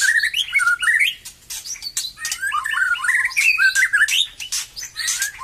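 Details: White-rumped shama singing as it becomes lively again after moulting: rich, varied whistled phrases, rising and falling slurs and quick warbles with short pauses, mixed with sharp broadband clicks and rattles.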